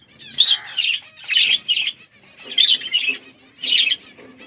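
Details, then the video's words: Budgerigars in a forest-style aviary in Asia giving loud, harsh chirps in paired bursts, about four clusters spaced roughly a second apart, each a scratchy high squawk-chirp, against a quiet background. "Budgies in forest environment aviary birds chirping"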